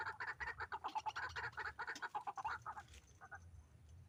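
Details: Harsh, rapid croaking from a White-breasted waterhen during hanging-snare trapping, a rough rattle of quick notes lasting about three seconds, ending with two softer notes before falling quiet.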